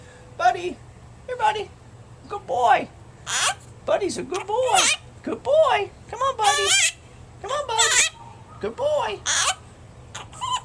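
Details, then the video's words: Eleven-month-old talking Quaker parrot, a household pet recorded April 30, 2010 on a Flip camcorder, pours out dense, rapid runs of shrill, squawky speech-like syllables, some wavering, some buzzy, with a woman talking nearby. "The Best Talking Quaker Parrot in the World"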